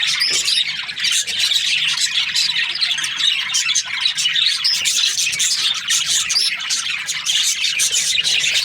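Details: A crowd of Australian budgerigars in breeding season chatters nonstop, mixing harsh squawks with quick chirps and twittering warbles, all high and overlapping throughout.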